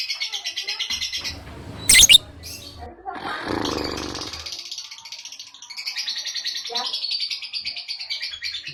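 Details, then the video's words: Lovebird giving ngekek, a long continuous chatter: a dense, buzzy, high-pitched rattle held for seconds at a time, interrupted by a sharp click and a stretch of low rumbling noise before the chattering resumes. "Masteran suara Burung Lovebird ngekek panjang"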